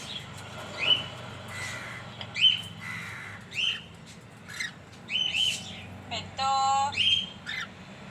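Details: Two pet cockatiels calling: sharp upswept whistles and brief harsh squawks at uneven intervals, plus one longer buzzy, rasping note near the end, over a quiet low-pitched household hum.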